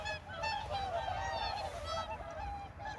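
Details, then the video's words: Whooper swans at a reservoir give loud, bugling honks, several overlapping in a steady chorus of nasal, trumpeting calls, with a low rumble of water or wind beneath. "큰고니 생활 탐조2 4K Whooper swan life birdwatching"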